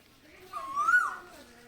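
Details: An Asian koel calling in spring from a mulberry tree by a veranda in Bangladesh gives a single clear, whistled note that swells and rises in pitch over about half a second, against a quiet outdoor background.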